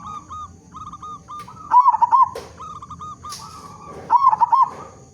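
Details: A local zebra dove singing loudly to draw other zebra doves into song. Strings of short clipped coo notes build into two bright, bubbling rolled phrases, with a brief click between them.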